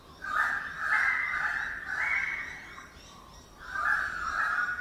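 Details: Early-morning currawong building a nest above a birdbath in Sydney, calling in drawn-out, ringing, mid-pitched phrases that run almost continuously, pause briefly, then resume.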